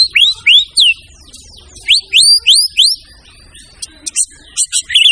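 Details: White-rumped shama giving loud rising whistled notes in repeated pairs, followed by softer scattered chirps and short high phrases.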